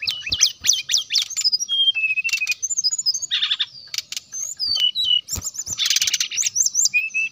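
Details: Brown-chested jungle flycatcher in full, energetic song used to draw out rival birds: rapid high zigzagging whistles, dense chattering bursts and sliding notes running almost continuously.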